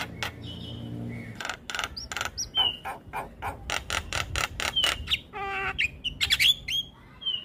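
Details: Young black-winged starling singing a full song, used as training material: bursts of harsh broadband rasping notes in quick series, broken by short clear whistles and rising slurred whistles near the end.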